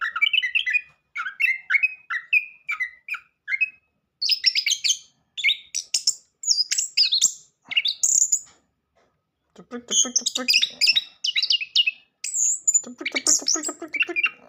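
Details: Lure song of an orange-headed thrush, played to coax a silent bird into singing: repeated chirped phrases, then high whistles and rapid buzzy trills, in bursts with brief gaps.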